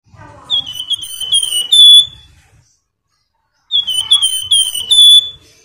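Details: Flamboyan singing vigorously: a bright whistled phrase of quick notes sliding slightly downward, ending in a loud ringing note, given twice with a pause of over a second between.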